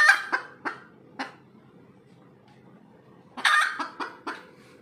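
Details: After laying an egg, a red junglefowl gives spaced harsh clucks, then after a two-second pause a loud drawn squawk trailed by three more clucks, over a low background hum.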